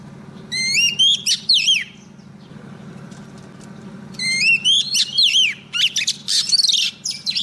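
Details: Female Oriental magpie-robin singing to draw in a male, a recording for stirring males and trapping. Two loud phrases of rising, ringing whistles with twisting notes, over a steady low hum.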